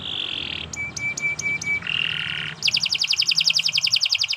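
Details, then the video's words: Canary singing, intended as a tutor recording: a buzzy note, a row of short level piping tones, another buzz, then a fast high trill of repeated notes. "Kicau Burung Kenari 164 II LUAR BIASA GACOR PANJANG Cocok untuk Masteran"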